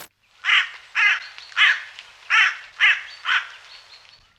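A Hooded Crow gives six harsh, hoarse caws, about two a second, each a short grating burst; otherwise quiet.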